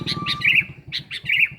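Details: Sooty-headed bulbul played as a lure. Two quick bubbling phrases, each opening with short chips and ending in a rolling whistle, in a short burst.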